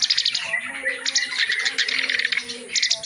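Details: Reed warbler in full, energetic song meant as tutoring material for other reed warblers: continuous harsh, buzzy chatter in quick bursts, with a faint low steady tone in the background.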